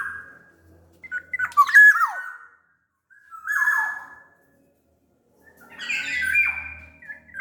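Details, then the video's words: Black-naped oriole from Sumbawa, a large-bodied bird, used as a lure to prompt lazy orioles to sing: mid-pitched whistled phrases with harsh squawking slurs falling in pitch, three bursts separated by short silences. "SUARA KEPODANG GACOR pancingan kepodang agar bunyi"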